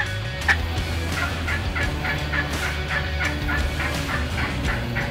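A wild turkey gobbles, a rapid rattling run of throaty notes lasting about four seconds, over a low background music bed.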